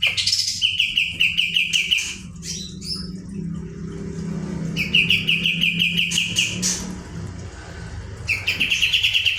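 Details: Kapas tembak, the olive-winged bulbul, singing steadily: three rapid rattling trills of evenly spaced bright notes, with scattered high chirps between them and a low droning hum underneath.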